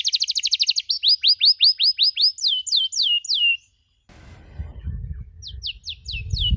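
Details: Canary for training birds to chirp: quick rapid notes then evenly spaced down-sweeping whistles, a break, then rumbling background noise with a few more slurred notes at the end.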